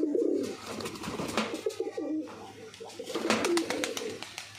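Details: Pigeons indoors in the morning as their keeper arrives, cooing: low hollow rolling coos, some short and repeated, mixed with wing flutters and shuffling.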